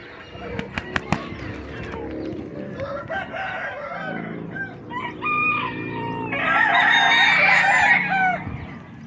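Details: Loud, ragged crowing from a bantam: a few sharp clicks at the start, choppy clucking notes, then a hoarse, intense crow peaking near the end amid a steady background hum.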